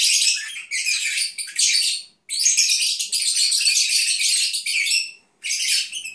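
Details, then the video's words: Caged Agapornis lovebirds indoors chattering while napping, a dense high-pitched twittering of overlapping chirps in long bursts broken by brief pauses near two and five seconds. "Cennet Papağanı ( Agapornis Lovebirds ) Nap Song"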